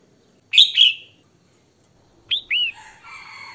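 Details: Female red-whiskered bulbul singing to arouse males: one loud two-note whistled phrase, a pause, then two hooked chirps trailing into a soft buzzy, chattering tail.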